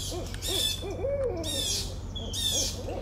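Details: Barred owl giving paired, arched hoots, then a longer slurred, wavering note, followed by more short hoots, with high thin bird calls and a low background hum.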